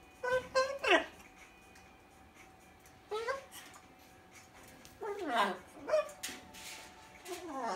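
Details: A 1-year-old Rubygold macaw talks in short, raspy, voice-like phrases, saying "gimme kiss" and Romanian "ce faci", a few bursts about two seconds apart, over a faint steady indoor hum.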